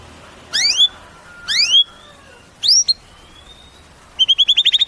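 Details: White-rumped shama kept in a cage giving clear rising whistles spaced about a second apart, with a quick run of repeated high notes at the end.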